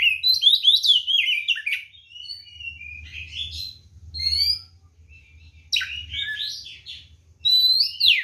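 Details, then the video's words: Caged white-rumped shama (kacer) singing a loud ngeplong tarung fighting song meant to provoke other birds into answering: rapid varied whistles, sharp downslurred notes and scratchy phrases in dense bursts, with a low hum beneath. "SUARA BURUNG kacer gacor NGEPLONG TARUNG ini paling AMPUH buat PANCINGAN kacer NYAUT EMOSI"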